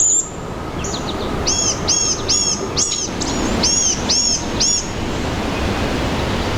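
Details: Blue-gray gnatcatcher calling in a forest: about eight thin, high, slightly arched nasal notes at a quick, uneven pace over steady low rumbling background noise.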